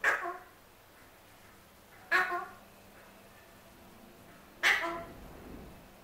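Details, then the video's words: A pet male Alexandrine parrot that wants his apple gives three sharp, rasping squawks at uneven gaps of roughly two to two and a half seconds. Each starts abruptly, then fades through a brief nasal tail. "MY ALEXANDRINE PARROT WANTING HIS APPLE"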